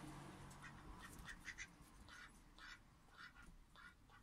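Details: Newly arrived male aigamo duck kept as a pet, June 2023: short, fairly loud nasal quacking notes in loose groups of two or three, with a low hum underneath.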